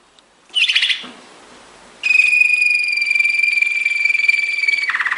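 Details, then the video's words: Belgian Waterslager song canary, training song: a short harsh burst, a pause, then a long pure unwavering whistle held nearly three seconds, ending in a quick rolling trill. "Belgian Waterslager / Belgian Malinois Waterslager training song"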